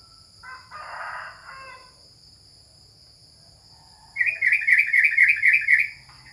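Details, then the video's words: Yellow-vented bulbul (trucukan), a captive contest bird kept at home during the corona period, gives a fast, rolling run of bright notes in the last two seconds after a soft, breathy murmur and near silence. "Lomba Burung Libur Beginilah Aksi Trucukan"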